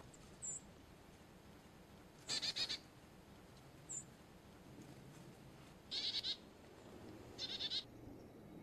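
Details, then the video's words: Carolina chickadee giving three harsh, buzzy bursts of rapid notes, spaced about two seconds apart, with brief thin high chips between them over a steady low background hiss. "Chickadee call / song / sounds"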